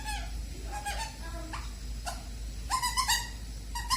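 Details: Caged pet bird at bedtime trying out new sounds: a few slurred, nasal notes, some gliding upward, then a louder harsh double squawk and a final short call, indoors with a steady low hum.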